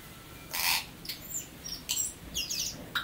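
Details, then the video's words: Native New Zealand tui song: a loud harsh burst opens, followed by sharp clicks, brief high twangs and a short rising whistle near the end. "The Great Song, of the Tui"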